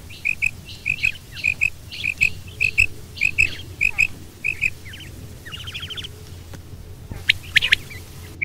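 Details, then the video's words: Female and male quail calling together: sharp paired chirps repeated about every half second, then rapid descending trilled notes and a few scattered clicks over a steady low rumble. "Female Batair Calling 2020| Male Batair Sounds | Mix Calling | Maadi Batair Ki Awaz | Female Batair"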